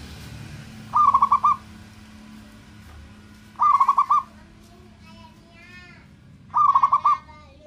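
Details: Local zebra dove in full voice, calling to provoke the anger and mating urge of rivals: three bursts of rapid, stuttering, pulsed coos roughly every three seconds, with twittering from other birds and a low steady hum behind.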